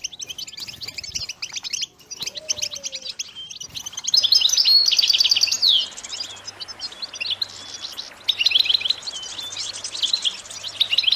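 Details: European goldfinch song from a motivational recording meant to keep goldfinches singing: soft scattered twitters at first, a brief low whistle near two seconds, then loud fast chattering trills and liquid tinkling phrases from about four seconds onward over a faint low hum.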